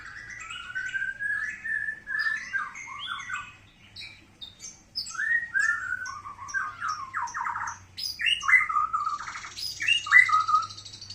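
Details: White-rumped shama delivering a long run of varied whistles, warbled descending notes and sharp high chips, with a short quieter gap midway before more lively phrases.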